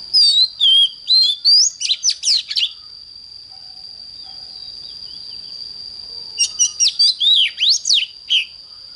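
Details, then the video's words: Oriental magpie-robin singing in the morning, a recording for training magpie-robins to sing strongly: two bursts of varied, swooping whistled notes separated by several seconds of quiet, with a steady high tone throughout. "Chích choè than hót sáng"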